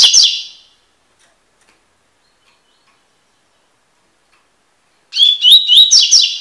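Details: Sporophila caerulescens, the double-collared seedeater, singing tui tui song for encarte tutoring: a phrase ends at the start, silence follows, then another high, ringing string of quick rising whistles with buzzy endings begins.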